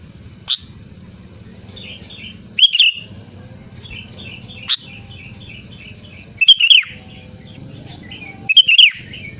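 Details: Sooty-headed bulbul giving loud, lively song: short bubbly whistled phrases around two to four notes, some runs of quick rising notes, repeated every couple of seconds over a steady low hum.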